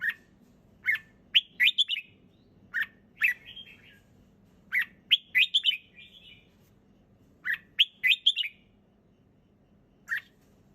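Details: Relaxed, clear singing of a red-whiskered bulbul: groups of three or four quick whistled notes, some with a trailing warble, separated by gaps of one to two seconds, with faint hum underneath.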